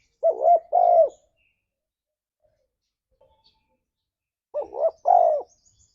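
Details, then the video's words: Ngalas-style cooing of a tekukur (spotted dove) meant to prompt a pet dove to answer: two phrases several seconds apart, each a wobbling stuttered coo then a fuller, drawn-out falling coo, with silence between. "Suara Burung Tekukur Ini Pancingan Tekukur Gacor Suara Ngalas"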